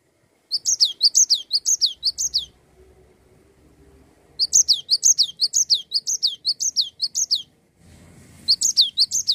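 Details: Cinereous tit singing continuously in the rolling 'gacor ngerol' style, used to stimulate other songbirds: three bursts of rapid, high, two-part phrases, each a sharp note then a downslurred whistle, repeated about twice a second, with short silent gaps.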